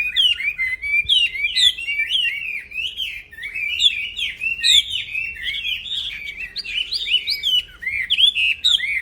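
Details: Black-throated laughingthrush singing without pause as a master recording for training songbirds, a fast jumble of upslurred and downslurred whistles and twittering notes, some rising higher toward the end.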